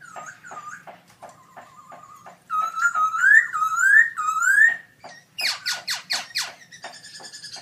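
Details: Loud caged black-throated laughingthrush at a 2016 birdsong contest: low warbled notes lead into repeated rising, slurred whistles, then a burst of high, steeply descending notes and a final thin phrase.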